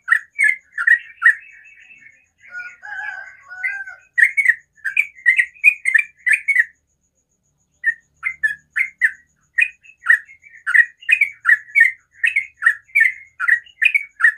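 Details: Sooty-headed bulbul singing in the morning: runs of quick bubbly chirps, broken by a softer lower chatter of another bird and a short silence, then resuming in a fast steady stream.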